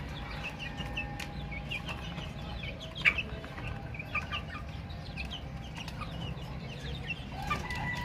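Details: Baby chicks chirping as a group: many short, high peeping notes overlapping continuously, some sharp louder peeps standing out, over a steady low hum and background rumble.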